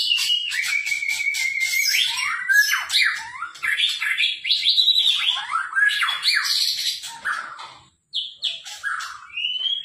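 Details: White-rumped shama singing continuously: a tumbling mix of fast sliding whistles, scratchy chatter and warbled notes with few pauses, ending on a clear rising whistle.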